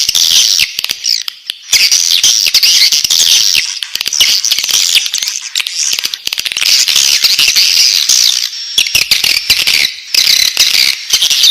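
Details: Swiftlet nestlings calling inside the nest, a steady high hissing, rasping chorus with scattered clicks and brief pauses throughout.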